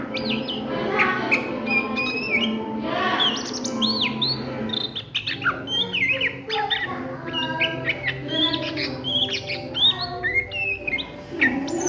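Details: Midday ngriwik song from an Oriental magpie-robin: long, fast-paced stream of varied whistles, arched slurs and sharp chips, hardly pausing, with a steady low hum behind.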